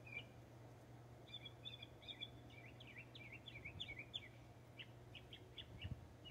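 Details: Northern mockingbird in Texas sings a varied run of short chirps and slurred whistles, shifting phrase types every second or so, over a steady low hum.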